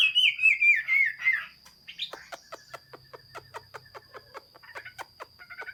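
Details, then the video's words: Chinese hwamei, 15 June 2021. It opens with a loud, descending chain of whistled notes lasting over a second, then gives way to a long series of sharp, evenly spaced clicks and a few soft notes. "Chim hoa mi hot xuy. Singsong bird very beautiful"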